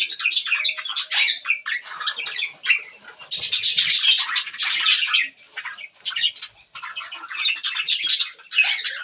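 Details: Budgerigars busy with green food keep up lively, scratchy chirping and warbled chatter, louder and denser mid-way, then trailing into quieter, broken phrases.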